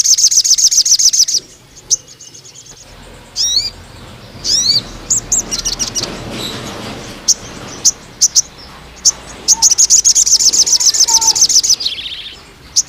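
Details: Crimson sunbird singing at length, used to lure and train young spotted males: a high buzzy trill, several quick down-slurred whistles, spaced sharp chips, then another long rapid metallic trill.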